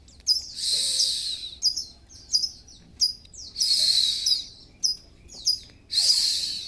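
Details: Kacer (Oriental magpie-robin) in full breeding condition, kembung and mbagong, delivering clear sharp descending whistles mixed with loud rasping, hissing phrases, repeated about every one to two seconds.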